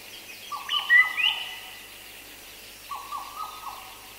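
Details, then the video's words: Black parrot song: drawn-out, mellow whistled phrases, steady in pitch and given twice, with a few brighter, rising higher whistles; faint calls of other birds, including Madagascar cuckoo and other black parrots, behind. "Black Parrot. MCU Song"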